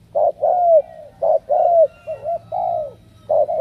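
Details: Spotted dove picked for its powerful cooing: a brief burst of mellow coos, a short note then a longer sliding one, repeated several times, over a low mechanical drone.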